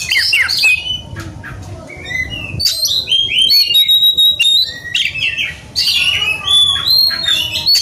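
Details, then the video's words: Oriental magpie-robin, excited and hunting for a rival, delivering a rich song of bright whistled notes, quick rising slurs and dense chattering bursts, loud and nearly continuous. "kacer gacor cari lawan tarung"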